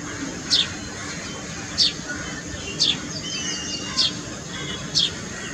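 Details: Indian grey hornbill (Ocyceros birostris) in India giving five sharp, high, downslurred squeals, about one per second, over steady background hiss with faint calls from other birds.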